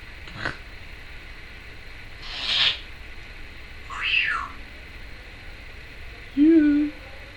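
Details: Pet Timneh African grey parrot, female, chattering at home: several short, scattered rasping notes and a sharp falling call, ending in a brief squeaky, nasal note.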